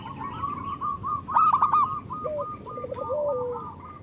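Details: Short stretch of local zebra dove song used to stimulate silent birds: a row of quick clipped coos, a louder stuttered burst, then a lower rolling phrase trailing into a long fading note.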